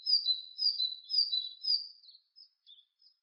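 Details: Great tit (Parus major) singing a two-note phrase, a high note then a slightly lower one, repeated about four times within two seconds before trailing into a few faint, scattered high notes. No other sounds.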